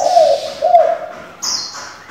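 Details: Spotted dove used for luring and training young doves, giving a short pair of low, wavering coos. A brief high, whistled note from another bird follows.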